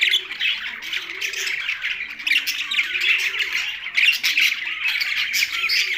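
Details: Budgies housed with a parrot, Larkana, Sindh: steady, crowded high-pitched twittering and scratchy chirps throughout, while quiet low cooing arcs recur in the background.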